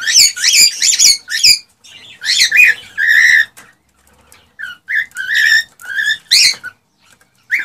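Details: Male cockatiel in excited song to stimulate a female to mate: clear, squeaky chirps with rich overtones, some drawn-out whistled notes, delivered in separated bursts with short silences.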